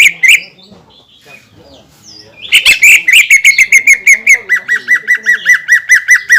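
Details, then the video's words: Greater green leafbird, kept in a cage, singing to provoke other leafbirds: a few soft scattered notes, then a steady rapid series of about twenty sharp chirps, gradually dropping slightly in pitch. "PANCINGAN CUCAK IJO GACOR YANG BIKIN BURUNG CUCAK IJO LAIN EMOSI DAN LANGSUNG GACOR"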